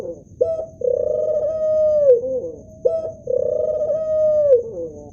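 A male ringneck dove gives two low coos, each a short opening note and then a long, steady hum that slurs downward, roughly every two and a half seconds.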